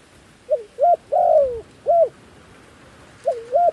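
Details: Caged decoy dove cooing to draw wild doves in: two brief hooked coos lead into a long, slowly falling coo, then a single short coo, a gap, and two more quick coos.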